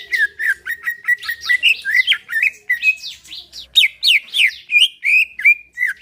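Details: Relaxed song of a caged greater green leafbird used to coax another leafbird into singing: varied fast phrases of bright whistled and chirping notes, some sharply rising or dipping, delivered almost without pause.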